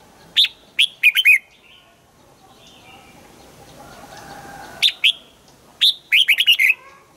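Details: Red-whiskered bulbul practising its morning song during training toward the double-note 'old forest' style. Spaced single chirps lead into two fast warbled runs of four to five notes, with a soft background murmur.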